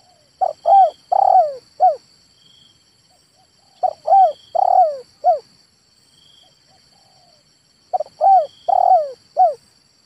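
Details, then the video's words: Male spotted dove delivering three longer phrases about four seconds apart, each of five notes: short coos, a long burry middle note and a falling final coo, with a faint high hum. "SUARA TEKUKUR JANTAN"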